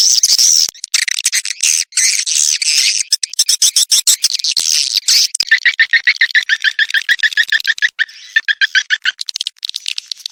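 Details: Swiftlet 'Birahi Lintas Senja' mating call recorded for attracting swiftlets: long buzzy high chattering for five seconds, breaking into quick repeated chirps with a lower two-note quality, about three per second, then scattered clicks.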